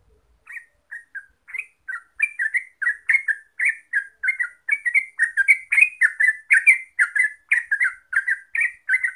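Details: Rapid ropel song of a Yellow-vented bulbul, known in Java as terucuk. After a few scattered opening notes it becomes a steady run of short chortling phrases, roughly three per second, over a quiet background.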